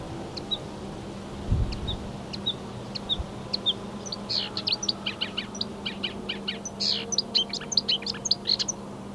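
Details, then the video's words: Marsh warbler singing its song of imitations of other European and African birds, 15 May 2020: scattered high sharp notes speeding into a dense chattering medley, with a soft low hum. "Rousserolle verderolle"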